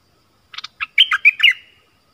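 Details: A single brisk Stripe-throated bulbul phrase, 1 April 2021, from a caged bird and wild birds that approached but stayed off: a few clipped notes lead into three loud liquid slurred whistles.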